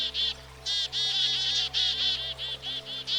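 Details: Black-capped Chickadee, a common American backyard bird, giving a run of harsh, buzzy 'dee' notes in uneven bursts, some long and some clipped, over a faint steady low hum.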